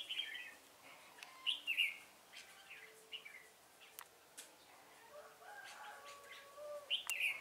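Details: Trapping lure red-whiskered bulbul, recorded 1 November 2017: soft-backed scene with faint clicks and thin whistles, broken by short, clear warbled phrases at about one and a half seconds and again at the close.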